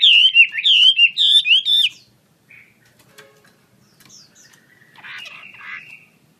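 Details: Chinese hwamei of the wambi kembang sort, singing energetically with wings spread, gives about two seconds of loud, rolling whistled phrases in quick repetition, then falls mostly quiet, leaving faint scattered chirps and a short soft rasp.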